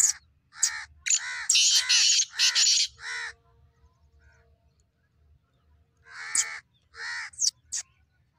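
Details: Black francolin calling in a series of harsh, grating, buzzy notes, several loud rasping bursts in quick succession, a pause, then another shorter run of scratchy notes; faint low rumble underneath.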